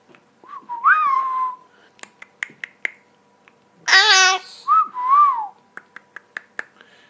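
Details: A 12-year-old female rescued Hahn's macaw (red-shouldered macaw) talking, with phrases like "Hey baby", "What you doing", "Hello" and "Pretty boy": two whistled, speech-like rising-falling phrases split by a harsh raspy squawk, with sharp clicks and taps.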